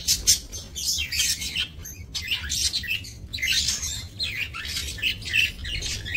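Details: Budgerigars kept for breeding in a small minimalist aviary, recorded 28 November 2024: dense overlapping chirps, squawks and warbled chatter from several birds in bursts, with brief pauses near two seconds and three seconds.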